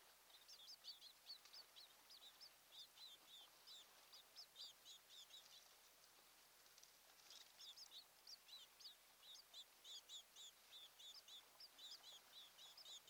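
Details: Distant ospreys at a nest on Kent Island, Maryland, 26 June 2018, mid-morning: long run of quick, high, squeaky chirps, several per second, rising and fading in bursts against steady background noise.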